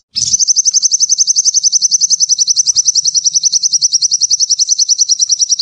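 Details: Sunbird in full song: one long, very high, even trill of rapidly repeated squeaky notes, about three to four per second, held steadily for over five seconds with little variation.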